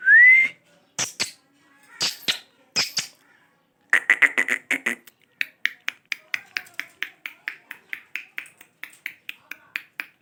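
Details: Parrot at home giving one rising whistle, then a few sharp clicks, then a long run of rapid, even clicking notes that slowly spread apart, like a ticking rattle.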